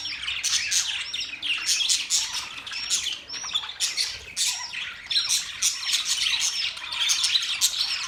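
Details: Budgerigars chatter busily, giving bursts of scratchy chirps and bright warbles in waves. Hooked whistles repeat through the flock's constant twittering.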